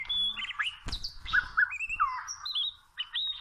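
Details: Oriental magpie-robin song from the wild, recorded where birds are caught with small ropes: short whistled notes and slurred, swooping phrases, broken by one sharp knock partway through.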